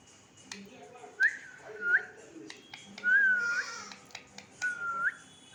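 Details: A 14-year-old pet parrot whistling in time with people, giving four short whistled notes, each level then sharply rising or falling, spaced about a second apart, with clicks and indoor room noise between.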